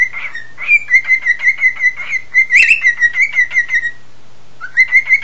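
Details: Pet cockatiel indoors, singing along while its owner whistles: a run of evenly pulsed, slightly wavering chirps held at one pitch, a sharp burst in the middle, then a short rising whistle.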